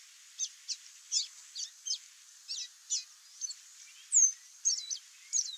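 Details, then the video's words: Free-living chestnut seedeater (Sporophila cinnamomea) singing in the wild: a quick run of high, thin chirps and short twittering notes, about two per second, with a bright rising whistle near the end. "CANTO do CABOCLINHO-DE-CHAPÉU-CINZENTO"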